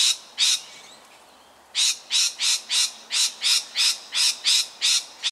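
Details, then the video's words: Lorikeet, nervous at a nearby tiger snake, suburban Melbourne, Australia, 13 October 2019: harsh, buzzy screeches, two quick shrieks, a pause, then about ten rapid rasping bursts at roughly three per second. "Tiger Snake Making a Lorikeet Nervous"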